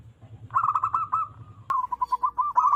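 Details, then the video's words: Local wild zebra dove giving a loud call used as a trapping lure: a quick run of rolling, staccato coos, a brief pause after a click, then more rapid bubbling coo notes. A low hum sits underneath the first half. "PERKUTUT LOKAL ALAM GACOR SUARA BESAR DAN LANTANG COCOK BUAT PIKAT BURUNG PERKUTUT"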